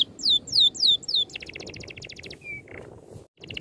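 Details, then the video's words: Dense 'ngerol' song of an oriental magpie-robin: four loud falling whistles, then a rapid trill of short high notes and a short flat whistle, with low background rumble. "MASTERAN BURUNG NGEROL RAPAT TEMBAKAN RAPI"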